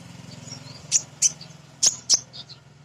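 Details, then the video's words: Female kolibri ninja sunbird used as a lure for other birds. Four sharp, very high chirps come in two pairs, followed by a couple of softer twitters over a steady low mechanical hum. "Kolibri Ninja BETINA Ngriwik Nyrecet Nembak Pancingan Paling Jitu Burung Bahan"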